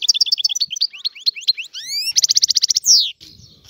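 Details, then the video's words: Algerian European goldfinch in free song, rapid liquid twitters leading into rising whistled sweeps, then a fast buzzy trill of repeated notes and a falling slurred note, ending in a soft rustle. "تغريد طائر الحسون الحر"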